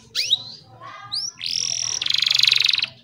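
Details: Canary song for tutoring young canaries or prompting silent ones: a few rising chirps, a sustained bright whistle, then a fast rattling trill, with a low hum beneath.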